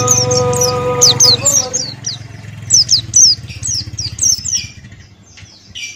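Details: Buxtoni white-eye pouring out ngalas-style song: fast strings of high, descending whistled notes, about four per second, rising and falling in loudness. A steady tonal hum runs underneath at the start.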